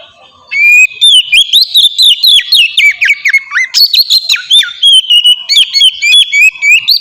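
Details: Oriental magpie-robin in ngeplong song, used to prompt other magpie-robins to sing: after a short quiet start, an unbroken torrent of varied whistles, swoops and crisp chips, roughly four notes each second.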